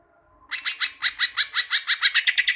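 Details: Cucak ijo, the greater green leafbird, in a training recording meant to make kept birds sing often: a fast, steady string of clear chirping notes with ringing overtones, speeding up toward the end, with nothing else audible.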